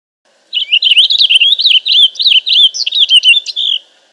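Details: Long, lively warble of a Purple Finch, some three seconds of quick twisting notes that jump up and down in steady bursts, delivered without pause against a silent background.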